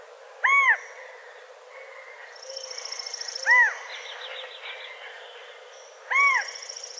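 California quail giving loud, arched, slightly nasal single notes about every three seconds, while thin high buzzy notes and a soft trill from other small birds run behind.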